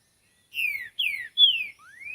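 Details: Green-winged saltator singing in nature: a short phrase of three clear whistled notes, each sliding downward, followed by a softer rising whistle, in a quiet setting.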